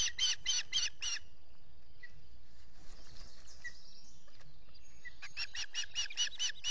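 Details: Osprey at its Finger Lakes nest during chick feeding, early morning of 14 June 2021, recorded by a solar camera; two quick bursts of sharp chirps, about five then seven, split by a pause with faint calls and outdoor hiss.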